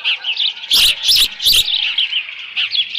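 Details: Nesting osprey recorded on 13 June 2018 in late morning, leftover fish at hand; shrill, fast chirps run continuously, broken by three loud rustling knocks in the middle.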